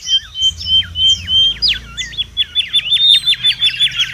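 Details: Mangrove whistler in the wild, lively song for luring and tutoring: a rapid run of sharp whistled notes, speeding into a dense repeated series of steep up-and-down slurs, with faint low rumble beneath.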